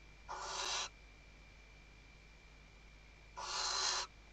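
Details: Nest-box webcam, Ebro Delta, Tarragona, Spain, 2023: a female Western barn owl gives two softer, noisy hissing screams about three seconds apart while tending the nest and calling her male.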